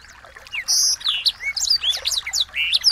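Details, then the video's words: A recording of small birds, used as a lure to provoke a magpie-robin into aggressive song: rapid high chirps, sweeping whistles and trills, densely overlapping for about three seconds, all bright and high-pitched. "masteran burung kecil"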